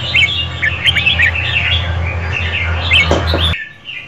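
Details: Female red-whiskered bulbul singing to excite a male, a run of quick warbling chirps and slurred whistles for about three and a half seconds, over a loud low hum that cuts off abruptly near the end.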